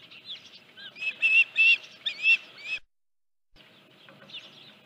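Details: Osprey at its nest at Dunrovin Ranch on 31 July 2018, the morning a headless fish was brought in; whistled chirps come in a tight burst, then a short silence and fainter chirping follows.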